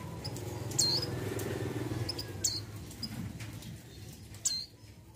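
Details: A female mountain white-eye in breeding condition calls to attract a male; three brief, high, down-slurred chips stand out above a noticeable low rumbling background.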